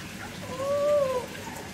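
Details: Pet African grey parrot giving a single smooth arched whistle, rising then falling, lasting under a second over a quiet room background.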